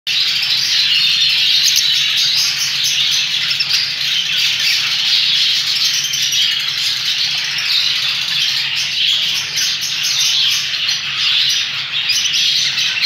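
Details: Pet TCB Hagoromo budgerigars keep up a dense, continuous chatter of high chirps and warbles.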